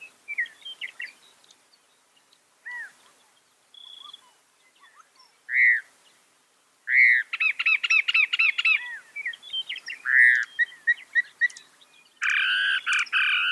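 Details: Mimicking northern mockingbird, credited with reproducing 200 sounds, delivers varied phrases: scattered chips and slurred notes, looping upswept calls, a rapid stacked trill, then a dense burst of harsh buzzy notes near the end.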